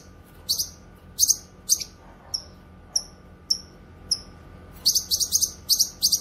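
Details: Cucak kinoy (Grey-cheeked Bulbul) singing energetically, used for training songbirds and luring wild birds: sharp, high, down-slurred whistled notes spaced about half a second apart, then a dense run of scratchy chattering bursts near the end.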